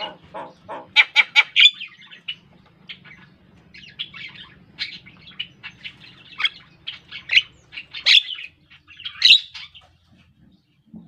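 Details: Javan myna singing a long, varied stream of clicks, chirps and squeaky whistled notes with occasional louder high accents, over a low steady background hum.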